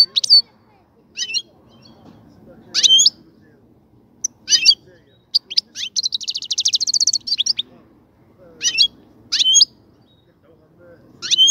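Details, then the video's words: Caged European goldfinch as its mating cage is prepared, singing scattered bright twitters and sliding notes, with a long fast, buzzy trill in the middle and a soft background hum throughout. "الغناء الجميل جدا لحسون الحسون"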